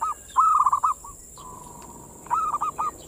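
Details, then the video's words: Perkutut, the zebra dove, singing manggung to lure other local perkutut into breeding mood. Two crisp phrases of rapid, rolling mid-pitched coos are separated by a long, level hum-like note. "suara perkutut pancingan mental birahi"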